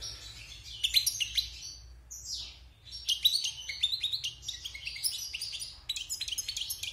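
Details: Wild European goldfinch, caged after its moult and kept six months, singing bright twittering phrases of quick high notes, then a short pause near two seconds before fast tinkling runs resume over faint low hum.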